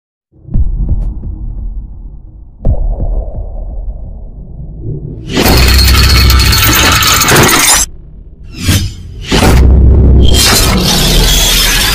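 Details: Low thuds and rumbling give way to loud bursts of harsh, crashing broadband noise, with no animal voice heard.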